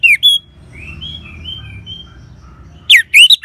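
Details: Orange-headed thrush singing ngeban style as a lure for caged birds: sharp, swooping whistled notes open and close, while a quiet string of smooth gliding whistles runs through the middle.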